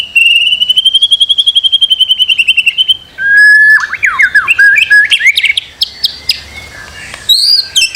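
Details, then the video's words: Master recording of white-rumped shama for making a bird sing: a long, rapid, slightly rising trill lasting about three seconds, then a burst of varied whistles, slurs and sharp chips. "Masteran murai batu. Di jamin langsung rajin bunyi"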